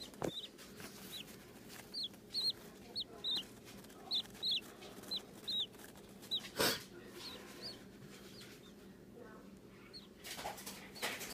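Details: A six-day-old cockatiel chick gives thin, high peeps in quick, uneven bursts.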